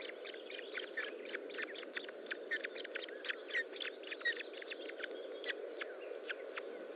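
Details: Osprey nest during a feeding, recorded 25 June 2012 at 10:58; quick runs of thin, clipped chirps, some louder peaks, continuing over a broad background hiss.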